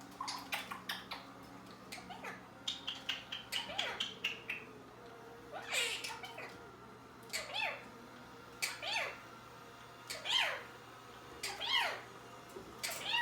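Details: Pet Quaker parrot and African grey hanging out together give squawky, meow-like calls that rise and fall, mixed with sharp clicks and short whistles.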